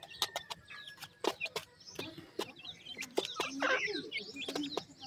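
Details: Feeding pheasant chicks give soft high twitters and slurred chirps among frequent sharp clicks from pecking, with one longer chattering burst midway.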